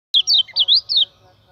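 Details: Common iora song used as a lure for training other birds: a quick run of bright, slurred chirps sweeping up and down over about one second, with soft steady whistled tones and faint low hum beneath.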